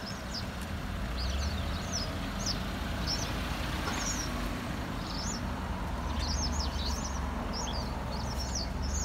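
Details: Several white wagtails gathering at a roost at 17:50 on 5 October 2021, beside a convenience store in Inami, give sharp, high overlapping chirps in quick bursts over a steady roar of road traffic.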